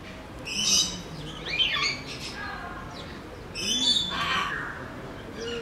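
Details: Sulphur-crested cockatoo kept at Belgrade Zoo, Serbia, filmed in 2021: rough, grating squawks in uneven bursts, a longer harsh burst toward the end, over a low background murmur.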